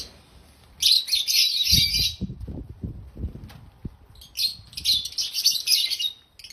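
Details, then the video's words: Happy African lovebirds giving loud chirping: two long bursts of dense, shrill, rapid chattering, separated by a short quieter gap, with low knocking or fluttering sounds beneath the first burst. "African Love birds sounds loud🐦Love birds chirping sounds🐤Happy Love Birds sounds"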